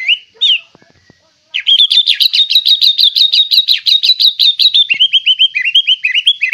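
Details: Fierce-looking white-rumped shama with a rich 'fighter'-style song fill. Two short whistles, then a long, rapid chattering series of sharp repeated notes, about ten per second, ending in quicker, slurred chips.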